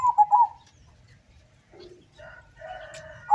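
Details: Local zebra dove at a contest in Sukorejo field, Suruh, Central Java: one quick warbling coo phrase dropping in pitch, followed by other voices and murmuring sounds from the event.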